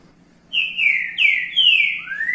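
A Green-winged saltator sings a loud, clear whistled phrase: three slurred notes falling in pitch, then a rising upslur, over a faint low hum.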